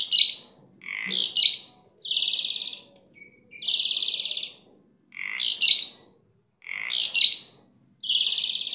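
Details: Starling owned as a cage-side singer, noted for super gacor song, mixes squeaky, explosive chattering phrases with long flat buzzy rasps. A brief soft note sits between them, and the pattern repeats several times.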